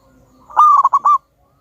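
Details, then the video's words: One brief, loud phrase from a local wild-type zebra dove, a rolling coo broken into four rapid bubbling notes, ending abruptly in silence. "Pancingan burung perkutut Lokal Alam super Gacor suara Besar"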